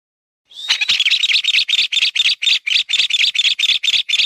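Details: After a moment of quiet, a mountain bamboo partridge begins with a short rising squeal, then breaks into rapid, harsh chattering notes repeated about three to four times per second, loud and steady to the end.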